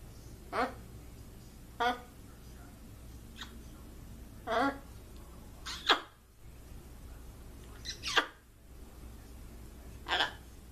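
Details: Trained pet blue-and-gold macaw greeting, said to say "what's up" and "hello" and act like crying; six short harsh, voice-like bursts spaced one to two seconds apart over a low steady hum.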